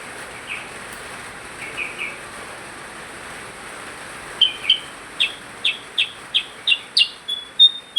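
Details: Actively singing percang: a few soft, lower notes, then a fast run of about a dozen bright, high chirps, roughly three per second, growing louder toward the end.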